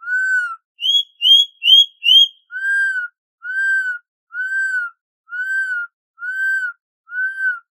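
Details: Corrupião, the Campo troupial of Brazil, singing the "canto clássico dobrado": one low whistle, four quick higher whistled notes, then six deliberate arched whistles repeated at a regular, unhurried pace.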